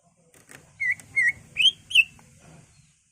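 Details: Greater green leafbird, a caged bird, giving four spaced, clear whistled notes, each slightly higher than the last, over a low background hum, as a lure to rouse other leafbirds.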